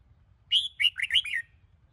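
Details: Brief phrase from a Sông Kôn red-whiskered bulbul in a morning training recording: about four bouncy whistled notes in one second, each dipping and rising, clear against a quiet background.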